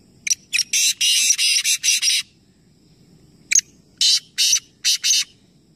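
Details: Three black francolins calling simultaneously in a Nawabshah, Pakistan calling competition: a long run of about seven harsh, scratchy notes, a pause, then a sharp note and four more grating bursts in steady rhythm.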